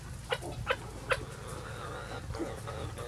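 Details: Chickens of various breeds free ranging on a farm on a sunny day; three short, sharp clucks spaced under half a second apart, followed by softer low clucking over steady outdoor background noise.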